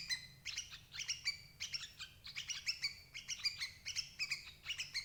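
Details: Sooty-headed bulbul calls played to trap adult birds: lively, high-pitched chirps and rising ringing notes delivered in rapid series, a short gap near the middle, over a quiet low rumble.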